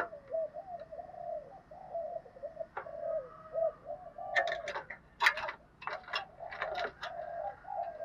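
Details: Captive spotted dove giving a structured cooing routine used to stir other birds to call. Continuous low, wavering coos throughout, with a cluster of loud clicks and chirps joining in the second half amid background hiss.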